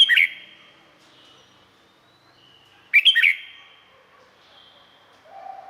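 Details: Red-whiskered bulbul from Thailand, a cage-kept songbird, singing two short bubbly phrases of quick warbled notes about three seconds apart, with quiet faint whistles between.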